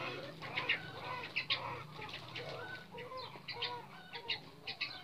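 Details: Red junglefowl pair being bred, male and female kept together in a 2x3 cage: short, throaty clucks repeated irregularly, mixed with scratchy rustles and brief wing flutters.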